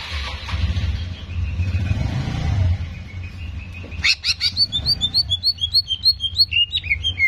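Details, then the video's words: A greater green leafbird sings a rapid run of bright, sweet chirped whistles, several notes each second, after a few seconds of low engine rumble. "PANCINGAN CEPAT MENAIKAN EMOSI CUCAK IJO"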